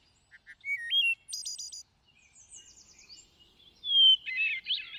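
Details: Thrush song: soft notes, a stepped whistle, then a high rattling trill, a faint twittering passage and a loud rising whistle that breaks into tangled, warbled notes.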